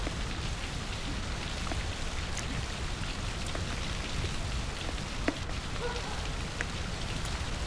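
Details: Steady rain falling on a surface, with scattered drips and faint clicks over a constant wash of noise.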